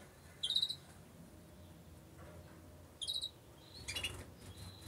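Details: Incubating two-barred crossbill giving short bursts of three or four rapid, sharp chip notes, repeated about every two and a half seconds, with a thin steady whistle-like tone near the end and low background rumble.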